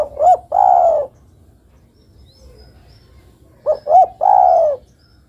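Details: Zebra dove, a female calling to the male, gives two phrases about three seconds apart, each two quick hooked coos then a long trilled, gently falling coo; quiet background otherwise.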